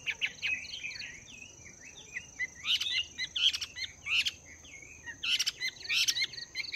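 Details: Chinese hwamei, wild-caught and two months caged, practising its song in the morning: a continuous stream of quick, sliding whistled notes broken by bursts of harsh, rattling chatter repeated several times.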